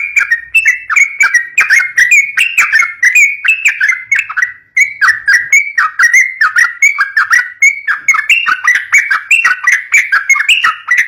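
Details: Continuous yellow-vented bulbul song for luring young birds, a steady stream of liquid, rising and falling whistled notes with almost no pause throughout.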